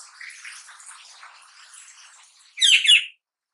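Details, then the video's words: Juvenile black-naped oriole from Java, newly out of spotted plumage and learning to sing, gives a loud harsh double burst after a stretch of faint scratchy twittering. "suara anak burung kepodang lepas trotol belajar PLOONG"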